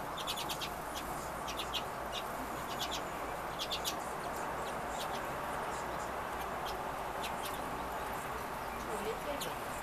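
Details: Redpolls that arrived for the winter, giving short, high, twittering chirps in quick clusters every second or two, over a constant broad hiss of background noise.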